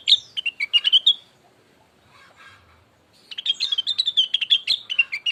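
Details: To provoke another bird into song, a blue-winged leafbird gives a brief flurry of shrill chirps, goes quiet except for faint murmuring notes, then bursts into a longer, fast, high twittering run.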